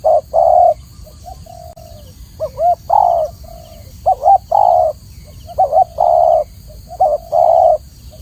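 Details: Spotted dove (tekukur) with a clear voice, a training recording for cage birds: low mellow cooing phrases, each a quick wavering double coo then a long steady coo, repeated about every two seconds over a faint constant hiss.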